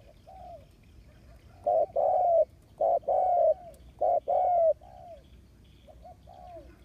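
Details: Decoy spotted dove placed on the ground to lure wild doves, August 2021: soft coo, then three louder short-long coo phrases in quick succession, ending with fainter falling coos.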